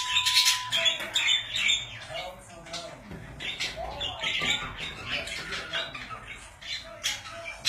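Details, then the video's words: Pet budgerigars chatter and warble in fast, buzzy, high chirps that run on unbroken, with one brief steady whistle-like tone near the start. "Budgies / Parakeets / Wellensittiche"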